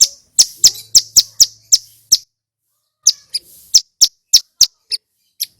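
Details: Male bar-winged prinia in full loud song: a quick series of sharp, ringing high notes, a one-second break, then another run of similar piercing chips.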